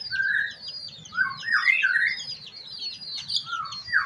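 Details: Ashy drongo, called srigunting kantil, singing vigorously in the morning as a lure for other birds: rich, slurred, rising whistles and warbles in quick succession over a soft background hum.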